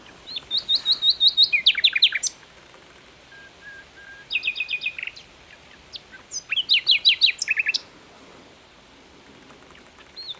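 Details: Prolific song of an Asian brown flycatcher: three bursts of fast, high, slurred notes repeated in quick rows, separated by quiet gaps with a few soft flat whistles.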